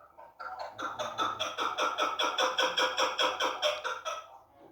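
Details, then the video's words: A female chukar partridge gives a rapid, steady series of hoarse, clucking chuk notes, about four or five a second, rising slightly in intensity before stopping. "chakor birds female bast awaz sound voice"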